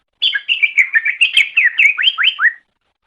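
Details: Green leafbird known as cucak ijo, from a master recording for training birds: one unbroken two-and-a-half-second phrase of rapid chirps, ending in steep upward-sweeping whistles.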